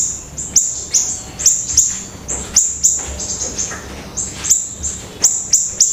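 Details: Gacor pleret song of high, thin, clipped notes, some paired, delivered in uneven bursts with brief pauses between them. A faint low hum sits underneath.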